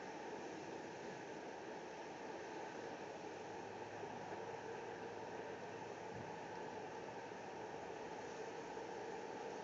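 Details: Steady broadband hiss and low rumble like distant traffic or machinery at a San Francisco outdoor live camera, with no animal calls heard.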